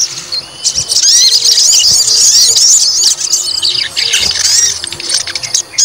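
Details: White-rumped shama singing to rouse a fighter bird's temper: busy, high chattering song of rapid varied notes and squeaky slurs, briefly quieter near the end.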